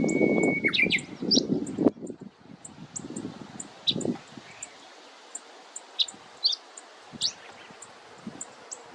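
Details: Probably Black-faced bunting (identification uncertain), one of two birds carrying bugs in Yashima marshland, Kirigamine highland, Nagano, giving thin, high, sharp tsit calls about twice a second and a few brief slurred song phrases, over rustling and a faint steady tone.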